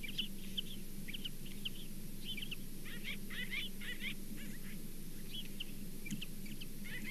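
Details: An osprey at the Charlo nest on 27 September 2023 gives rapid, high whistled chirps in short bursts, about four a second, over a steady low rumble of wind or hum.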